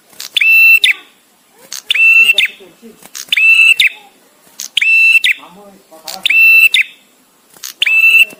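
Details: Bar-winged prinia, a visiting male, delivers six loud, strident, buzzy phrases at a steady rhythm of about one every one and a half seconds, spaced for song tutoring, with soft low chatter behind.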